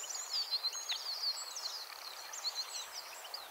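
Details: European goldfinch singing from a thin branch at Fowlsheugh: a rapid, liquid twittering of high tinkling and slurred notes, some buzzy, pouring out almost without pause for over three seconds above a soft background hiss.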